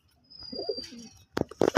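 A pigeon gives a soft, low, throaty coo, followed by a few sharp knocks or flaps.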